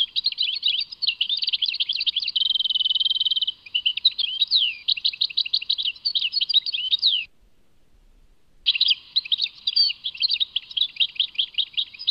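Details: European goldfinch at Tadmait in long, continuous song: jangling twitters, a steady buzzy trill, then a string of repeated slurred notes. After a brief pause the twittering resumes.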